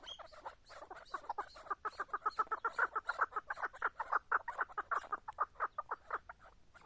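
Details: Chukar partridge with a dense, fast pulsing of raspy clucking notes that swell and then fade, heard over a faint background hiss.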